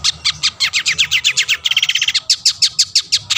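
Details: Long-tailed shrike (cendet) singing to provoke rivals, a rapid run of sharp chipping notes about eight per second, briefly breaking into a faster stuttering trill before resuming.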